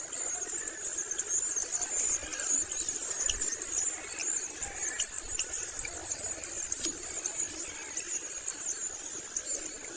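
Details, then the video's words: Begging long-tailed shrike chick fed by its mother, producing a continuous stream of shrill, high squealing notes, fast and irregular, sustained over ten seconds above a faint background hiss. "proses penglolohan burung cendet dengan induknya sampai dewasa"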